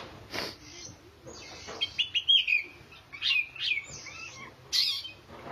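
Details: Oriental magpie-robin in lively full song: varied whistled phrases and sharp chirps sweeping around high pitch, with short notes and pauses, bursts clustered in the middle and end.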